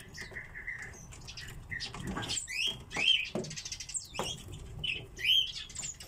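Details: Captive common redpolls giving a run of short, even chirps on one pitch. These are followed by higher, twisting twitter notes at irregular intervals, with clicks, taps and rustling of cage activity throughout.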